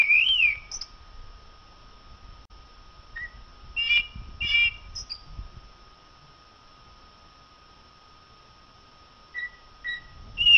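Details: ['Common blackbird giving separated song phrases of rich fluted warbles and brief high twitters, with long quiet pauses between them.']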